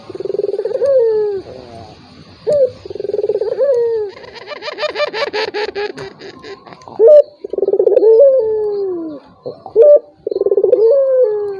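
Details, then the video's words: Turtle dove cooing to provoke a quiet rival: repeated phrases of a short note, rolling pulsed trill and long descending coo, with a burst of rapid clicking, rattling sound partway through. "PANCINGAN BURUNG PUTER || COCOK UNTUK LAWAN YANG MALAS BUNYI"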